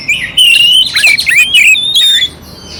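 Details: Clear-voiced oriental magpie-robin singing rough fill material meant to provoke a passive rival: a sustained bright whistle breaking into a burst of scratchy, tumbling notes, then another steady whistled note.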